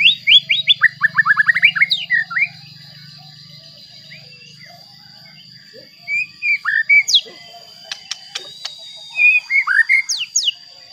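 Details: Song of a White-rumped shama used to make other shamas sing: a fast run of descending whistled notes, pause, then scattered swooping whistles and clicks, ending with high downslurred notes.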